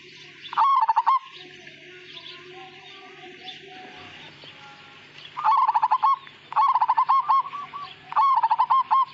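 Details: Majapahit-style zebra dove singing melodiously, its phrases lacking the 'kung' ending. It repeats a burst of rapid, warbled cooing pulses four times, with a short pause between the last bursts, over soft background chirping and a steady low hum.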